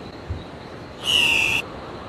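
An Andean cock-of-the-rock gives a single loud, steady, nasal high note of about half a second, over faint background hiss.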